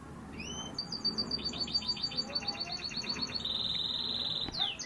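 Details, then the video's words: Gloster canary singing a fast, varied song: high whistled notes and rapid repeated trills, a long sustained buzzy trill near the end, with a faint low background murmur. "kenari gloster dèbeké"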